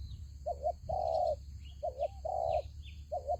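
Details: Decoy spotted dove in a fight trap cooing clearly: a wavering double note, a long purring coo, then the pattern again, close and loud; faint distant chirps and persistent high hum.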